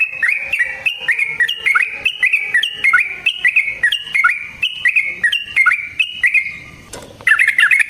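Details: Yellow-vented bulbul giving a long fighting song used to provoke another bird: a steady run of short, bubbly, slurred notes repeated about three times a second, dipping and rising. A brief rustling break near the end, then the notes resume.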